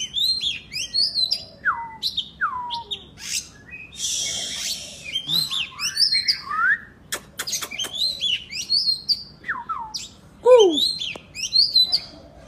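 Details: Long bout of kacer, the oriental magpie-robin, in vigorous 'gacor' song: varied whistled slurs, a rough noisy burst, rapid clicks, rising and falling notes and a loud low downward sweep, phrases spaced by short gaps.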